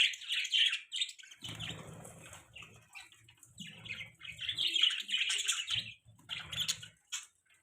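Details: Chattering budgie giving fast, scratchy, high chirps almost without pause, mixed with low rustling and wing-flapping noise.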